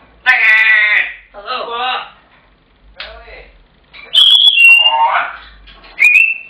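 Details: Domestic African grey parrot shouting for its tea when its owner gets home: several rich, voice-like harmonic calls, then a bright whistled note sliding down, a wavering mid-pitched call and a final sharp rising whistle.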